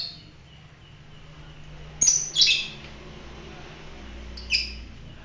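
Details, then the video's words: Fighter-type lovebird giving a few short, shrill, high chirps in brief bursts separated by long pauses, over a faint low hum. "fighter lovebird"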